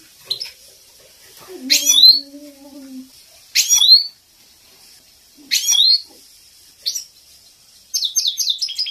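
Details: Captive European goldfinch female calls used to train and excite males: buzzy rising slurred bursts about every two seconds, a low drawn-out tone early on, ending in a rapid run of high twitters.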